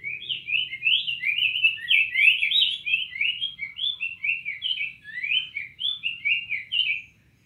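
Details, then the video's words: Long, rich phrase of cinnamon tanager song, many rapid slurred notes tumbling up and down in a lively, jumbled sequence that fades out at the end. "Bicos de Veludo dando show"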